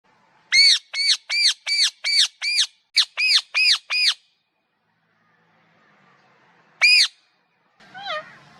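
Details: A parrot repeats about ten rapid, raucous screeches at a steady pace, falls silent, gives one more loud squawk, then a softer wavering whistle-like note.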